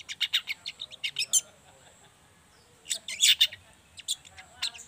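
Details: Juvenile long-tailed shrike (Lanius schach) chatter, used as a lure to get other young shrikes singing: quick, high, scratchy chirps in a rapid series, a pause, then a louder squeaky twitter.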